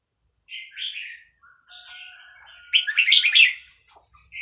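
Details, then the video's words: Excited caged Vietnamese red-whiskered bulbul singing along to playback of hatched chicks with fast-linked phrases: a short warble, a thin level whistle, then a loud, rapid, tumbling burst of rich notes. "นกกรงหัวจุกเวียดนาม ต่อดอกเร็ว เปิดยั้วลูกนกฟักแล้วคึกร้องตาม"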